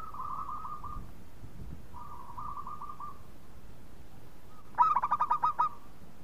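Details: Local Indonesian zebra dove lure song: two soft, even purring coo phrases from farther doves, then one loud, rapid burst of about eight bubbling coos near the end.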